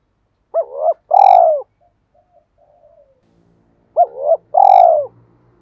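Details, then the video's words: Decoy spotted dove giving its 'two-ending' calling coo, used to lure wild doves: two phrases, each a quick warbled double note then a longer, lower falling coo, separated by about three seconds of near silence. "Chim Cu Mồi Gáy Gọi Hai Hậu"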